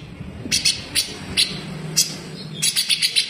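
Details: Grey-cheeked bulbul besetan, a coarse fast model song for cage birds: spaced single and paired high, sharp notes, ending in a quicker run of four or five harsh notes over faint low hum.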